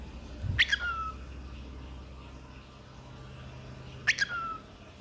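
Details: A cockatiel gives two brief, sharp calls about three and a half seconds apart, each sliding quickly downward, possibly its "peek-a-boo", the only words it knows. A low indoor hum runs underneath.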